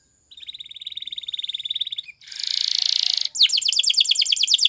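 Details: Canary training song in Spanish Timbrado style: a rapid bubbling trill, a dense buzzy rattle, then a quick series of bright stacked chirping notes.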